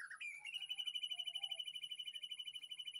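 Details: Captive white-rumped shama in a backyard aviary, afternoon, master song for training: a short sliding whistle, then a fast, even, sharp trill repeated about three times a second for the rest of the phrase, over a constant high hum.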